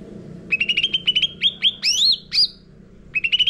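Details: Sooty-headed bulbul song used as a lure in training caged birds: a rapid run of clipped chirps, then loud swooping whistled notes, and another quick chirp run at the end.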